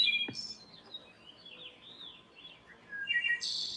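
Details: A Wood Thrush, a forest bird, sings a flute-like phrase of clear, liquid notes sliding up and down, ending in a high, shimmering trill.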